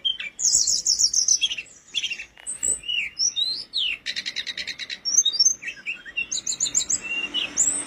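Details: Energetic tledekan gunung flowerpecker song for tutoring birds: very high, varied twittering with rapid trilled bursts, sharp upslurred whistles and a dense buzzy stutter at mid-clip.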